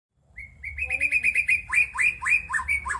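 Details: Young forest-caught white-rumped shama in song: a run of short, bright whistled notes repeated rapidly, then louder chopped phrases with quick downward slurs, steady and insistent, over a faint low hum.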